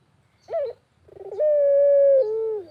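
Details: Single barbary dove coo phrase from the countryside: a rising-falling short note, a stuttered roll, then a smooth prolonged hoot stepping down to a lower, fading close.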